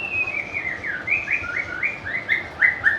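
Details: White-rumped shama, a bird popular with bird lovers and known for varied song and mimicry; a quick series of clear whistled notes sliding down between roughly the same pitches, about a dozen in three seconds.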